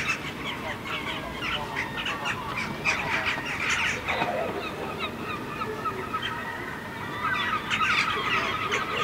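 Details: A herring gull couple standing on a rooftop in Helsinki, Finland, in July 2015, trading harsh, honking calls in quick, uneven bursts.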